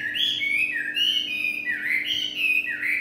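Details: Chinese hwamei singing in the evening, giving continuous, loud, slurred whistles that waver up and down in smooth looping phrases, repeated roughly every second.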